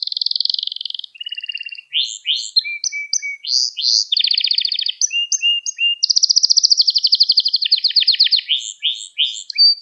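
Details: Canary kept at home singing continuously for a young-canary training recording: buzzy trills, clipped whistles and swooping notes, with a long loud rolling trill in the middle of the phrase.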